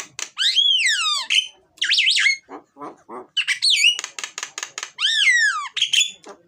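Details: Myna (jalak) singing loudly and varied, used to lure lazy mynas into singing: long slurred whistles sweeping down, harsh squawks and a rapid rattling run of clicks, then more descending whistled notes.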